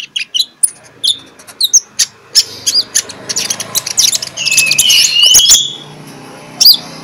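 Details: Magpie-robin singing in the morning, used to lure other magpie-robins into song: a quick series of short chirps and whistles, then a dense warbling burst with a steady background hiss.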